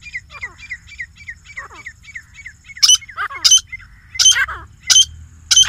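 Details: Grey francolin pair calling: short squeaky chirps in a run build into loud, sharp, ringing notes, repeated about every seven-tenths of a second, over a low rumbling background.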